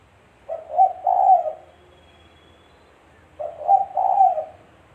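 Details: Spotted dove, known as tekukur, recorded for luring birds into traps; two low coo phrases about three seconds apart, each a short double note and a sustained hoarse coo.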